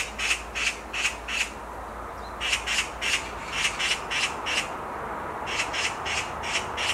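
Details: A black magpie perched on a tree branch repeats groups of harsh, grating screams, four or five quick notes per group, with short breaks between groups.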